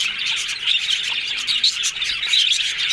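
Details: Short burst of happy talking from yellow budgies, busy high warbling with several clear whistled upslurred notes standing out from the chatter.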